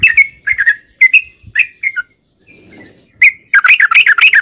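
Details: Yellow-vented bulbul song, used as a lure to make other bulbuls answer. Bubbly, liquid notes come in short spaced phrases, then a pause with faint noise, then a quick rush of chattering notes.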